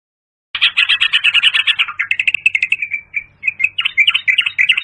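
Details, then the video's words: Continuous fast, bubbly chattering of a yellow-vented bulbul, the pirok pirok bird, broadcast through a Bluetooth speaker as a hunting lure, with notes tumbling together and briefly thinning before picking up again. "yellow- vented bulbul|effective call sound"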